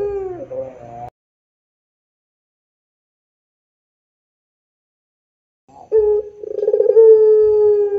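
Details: A puter dove coo fragment, then about five seconds of silence, then a fresh loud note and rolling pulsed coo stretching into a steady sustained tone in the long pelung style.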